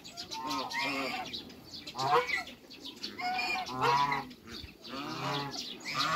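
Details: Backyard pair of African geese, kept alongside other waterbirds, trumpeting harsh, rich honks in a rapid series of about five bursts, each rising and falling in pitch.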